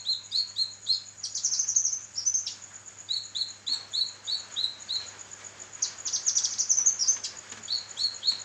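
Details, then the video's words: Kinoi song used as a training recording for songbirds: runs of quick, high upslurred chirps repeated in series, broken by brighter twittering bursts, over a steady high-pitched tone. "burung masteran kinoi gacor"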